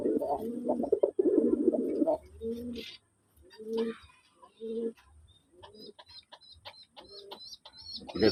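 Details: A male domestic pigeon gives a powerful call of deep, throaty bubbling coos in quick bursts, with thin high chirps from small birds.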